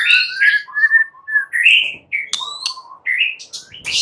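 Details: White-rumped shama singing at night, a lure recording: varied clear whistled phrases around one to three kilohertz, sliding and rising notes broken by sharp high clicks and brief pauses.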